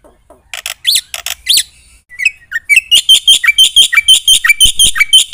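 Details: Black-winged myna delivering 'isian'-filled 'gacor' singing that stirs other birds to respond: a few scattered rising whistles and sweeps open, followed by a steady stream of quick, shrill repeated notes.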